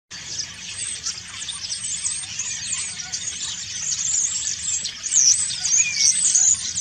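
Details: Common starling giving its autumn song while preening: a dense, continuous chatter of high squeaks, clicks and short whistles, growing slightly louder toward the end.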